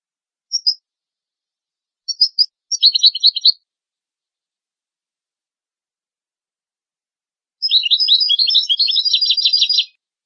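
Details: European goldfinch training song for goldfinch and hybrid chicks. Scattered single high chirps lead into a short jangling trill; after a four-second gap comes a longer, rapid series of bright, repeated twittering notes, with clean background throughout.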